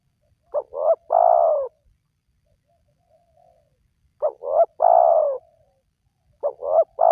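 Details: Spotted dove cooing, used as a lure to get wild doves calling. Two full phrases and a third beginning, spaced about four seconds apart. Each has two brief clipped notes and then a long, mellow, descending coo; otherwise silence.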